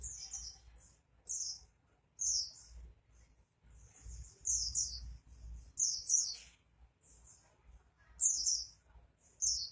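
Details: Oriental white-eye singing energetically ('gacor'): short clusters of shrill, rapid twittering notes broken by brief gaps, the phrases growing louder midway, against a quiet low-frequency hum.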